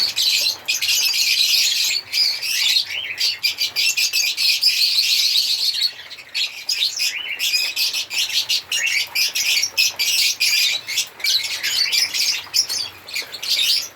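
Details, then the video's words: Noisy flock-like chatter of African lovebirds: high, scratchy chirps pulsing rapidly and almost nonstop for many seconds, with short breaks. "African Lovebirds singing and chirping sound"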